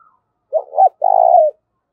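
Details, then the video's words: Fight-provoking call of a spotted dove in the 'thổ pha' voice style: a quick doubled coo leads into a long, evenly pulsed low coo that slides down at the end; otherwise quiet. "cu gáy thúc đấu, tieng cu gay kich boi nhanh noi. cu gáy giọng thổ pha"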